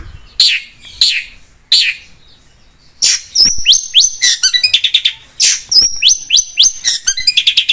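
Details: Cendet, the long-tailed shrike, in vigorous song for luring other birds: a few scratchy high chips open into fast sequences of sweeping whistles and rapid trilled phrases.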